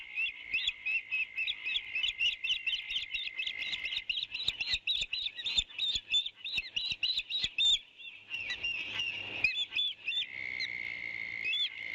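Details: An eagle raising its young: a quick series of short, high chirps repeated several times per second, pausing briefly, then resuming more loosely over a steady high insect-like drone.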